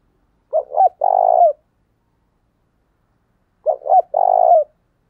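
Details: Lure coo of a decoy spotted dove, used to excite other males. Two clean phrases roughly three seconds apart, each a pair of short hooting notes and a drawn-out falling third note, with silence between.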